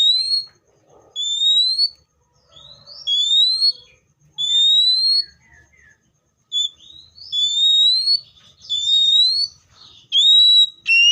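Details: Seychelles magpie-robin giving clear, loud, rising whistles, each sweeping upward and repeated roughly every second or two, with occasional twittering notes between them.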